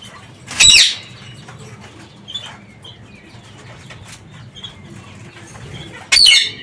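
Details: Parakeets that escaped their cage and are free in an aviary give two loud, harsh, grating screeches about five seconds apart, with a few soft, high chirps in between and a quiet background hum.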